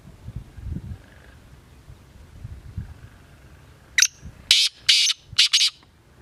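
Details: Black francolin giving a quick burst of five harsh, rasping, wide-band notes within about two seconds, after several seconds of quiet low rumbling background.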